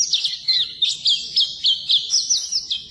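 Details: Brief burst of Oriental white-eye song meant to train non-singing birds: fast, high, chattering twitters repeated in quick pulses.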